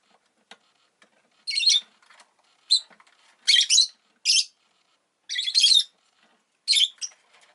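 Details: Rosy-faced lovebird, a caged pet around the laying of an egg, giving loud raspy high chirps and short chattering bursts at irregular intervals, with faint clicks and soft background noise between calls.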